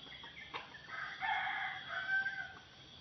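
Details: Wild red junglefowl rooster at a trapping site on the edge of swamp scrub gives a short, hoarse crow, rising then trailing off in a clipped, strained phrase; the crow oddly resembles a village chicken's.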